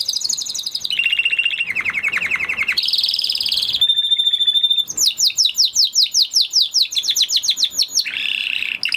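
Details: Spanish Timbrado canary, an original breed, singing a varied song: a high whistled phrase, a lower rolling trill, a buzzy high note, a sharp piping tone, then fast descending chip sequences and a closing warble.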